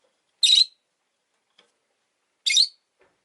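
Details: Two loud, scratchy chirps about two seconds apart from a pair of pet rosy-faced lovebirds clustered at an entrance, with a faint tiny click between them.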